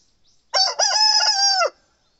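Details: Morning crow of a young male Satsuma chicken, seven months old: a short opening syllable followed by a sustained, strained, level note of about a second that drops sharply at the close; faint distant bird calls before it.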